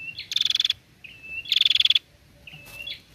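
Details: Female prinia sounds meant to stimulate other prinias to call: two loud, fast ticking trills, each led in by a brief whistled note, with a further whistle at the end.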